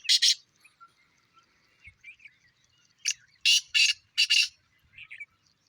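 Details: Two captive Black francolin males called against each other in their first calling of the season, one falling a call behind: loud, harsh, grating bursts of one opening note and four quick rasping notes, with softer squeaky chirps between.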